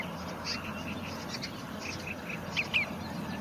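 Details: Black-headed gull at its nest: a series of faint, short, harsh notes, then two louder, downslurred calls at the end, over a steady hiss.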